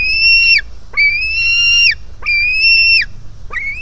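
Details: Hungry White-tailed Eagle chick at a nest in Finland in July, jumping toward its parent: long, thin whistled cries with slightly falling ends, four in under four seconds, each about half a second to a second long.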